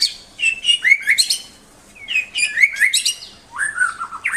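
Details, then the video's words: White-rumped shama giving two bursts of bright, sharp chirping notes, then a lower, smoother whistled phrase that slides downward. "Kicau murai"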